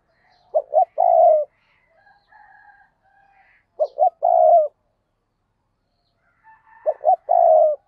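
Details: Decoy spotted dove luring other doves repeats its coo three times about three seconds apart: two clipped notes, then a long low note, with faint calls in the gaps.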